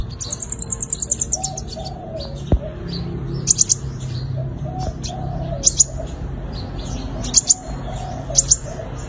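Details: Sunbird fighting song used as a lure to catch wild birds: a quick high thin trill opens, followed by short sharp high chips in clusters. Low cooing from a dove runs underneath.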